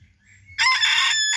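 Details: Rooster crowing: after half a second of near quiet, a loud, harsh, strained crow bursts in and holds steady and rough to the end of the clip.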